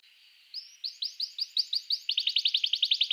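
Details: Quiet canary song aimed at rousing other canaries to sing: a faint buzz, then spaced rising chirps roughly four per second that quicken into a tight, fast series of bright notes.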